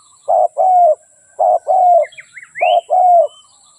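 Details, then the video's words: Spotted dove giving two paired coo phrases, a brief hoarse note then a longer falling coo, separated by a pause filled with soft chirps and a rising whistle from another bird. "เสียงนกเขาใหญ่/suara burung tekukur"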